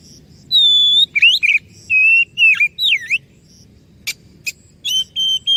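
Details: Oriental magpie-robin song meant to provoke answering birds: a long pure whistle, then twisting, swooping whistled notes, a few sharp clicks, and level sustained whistles closing.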